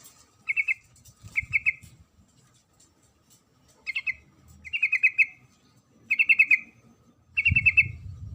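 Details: Female sooty-headed bulbul calling the male with six short chattering bursts, each a quick string of bubbly notes, spaced roughly every one to two seconds, with occasional low bumps.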